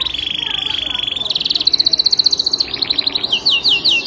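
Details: Canary in continuous tutor song: a steady purring trill on one pitch, then a higher rapid rolling trill, followed by bright downward-sweeping whistled notes in quick succession.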